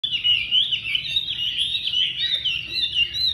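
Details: Chinese hwamei singing loudly, a continuous warbled stream of high sweet phrases with rapid pitch wobbles, no pauses across the whole stretch.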